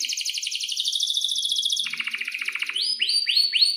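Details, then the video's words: Energetic canary song used as a tutor for young canaries learning to sing. A long, shrill, even trill drops into a lower rattling roll, then breaks into separate rising whistled notes. "kenari gacor panjang buat pancingan kenari paud belajar bunyi agar NYAUT"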